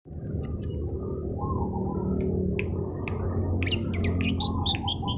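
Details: Long-tailed shrike in vigorous singing form, used to provoke rival birds: scattered sharp chirps early, then a dense burst of high, clipped notes and short whistles toward the end, over a steady low rumbling background noise.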